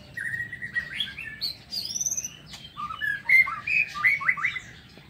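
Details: White-rumped shama singing in an aviary in the morning: varied whistled phrases, clear and fluty, with rising and falling notes and quick slurred sequences, no other clear sounds.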